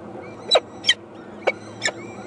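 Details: Peregrine falcon nestlings, four eyases, calling to their mother that they are hungry: scratchy, strained screeches, four separate calls spaced about half a second apart.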